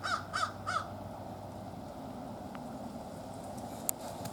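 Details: Wild American crow calling among its family group, a friendly greeting to companions; three quick harsh caws in a burst at the start, then low background rumble with faint clicks.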